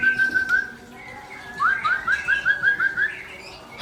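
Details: Aceh-type white-rumped shama song: one clear sustained whistle, a short gap, then a quick series of about eight short, rising whistled notes on a steady pitch.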